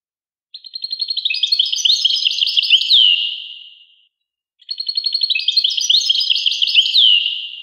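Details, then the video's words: Two near-identical phrases of European goldfinch song, each a quick buzzy-tinkling twitter closing with a falling slur and dying away, separated by silence. "Carduelis carduelis. song Carduelis carduelis pure and Nice-Birds The song"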